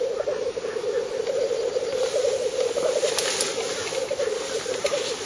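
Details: Spring lek of black grouse, northern Finland, on the eve of 1 May 2011, 50–70 m distant: rhythmic rolling coos merge into a constant bubbling drone, with brief hissing bursts around the middle.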